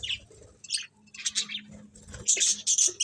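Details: Budgies giving quick, bright chirps and harsh squeaky chatter, notes rising sharply toward the end in shrill whistled bursts over a steady low background hum.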